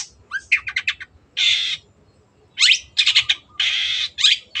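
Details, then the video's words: A cendet, or Long-tailed shrike, sings a clear 'gacor' song. Quick chattering notes alternate with long, harsh, buzzy rasping bursts. Short upslurred whistles and a pause break up the phrases. "MASTERAN BURUNG CENDET GACOR"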